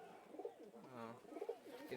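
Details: Pigeons offered for sale give soft, low cooing, with rolling, wavering hums that swell and fade several times within two seconds, several birds calling over one another amid light rustling.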